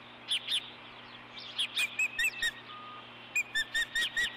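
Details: Osprey at the Dunrovin Ranch nest on 4 April 2014 as the male hands a fish to the female; short groups of sharp whistled chirps with brief gaps between phrases.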